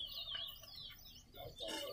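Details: Chestnut-bellied seed finch (towa towa) in a bird singing race at Lusignan Bird Ground sings a rapid, sweet warbling run of whistled notes sliding up and down, while a man counts aloud in the background.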